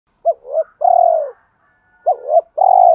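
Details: Spotted dove cooing, used to stimulate and train decoy birds: two phrases, each a quick double-note coo followed by a long, smooth, slightly falling croo, with a faint higher note between them.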